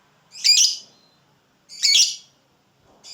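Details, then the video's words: Lovebird recorded as tutor material for other lovebirds; two separate harsh, shrill screeches roughly a second and a half apart, each rasping and short, with a third beginning as the recording ends in otherwise quiet surroundings. "LOVEBIRD NGEKEK DURASI PANJANG"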